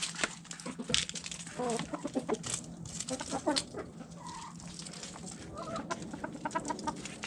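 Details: Backyard hens and roosters eating food scraps, giving scattered short clucks and a few brief whining notes amid near-constant pecking and rustling.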